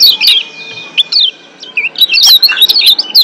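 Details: Wild-caught Lombok white-eye (kecial kuning) gives a rapid, jumbled run of high, thin chirps and sharp twittering notes, tumbling excitedly with brief pauses and no steady rhythm.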